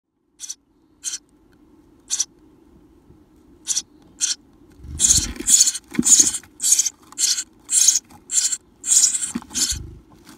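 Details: Eurasian tree sparrow chicks, 17 days old and about to fledge, give harsh, raspy begging notes, sparse at first, then quickening into a rapid scratchy series about twice a second.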